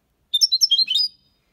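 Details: Goldfinch singing a clean Málaga copy song meant to stimulate young birds: a quick, liquid phrase of high chirps and tinkling notes, about one second long.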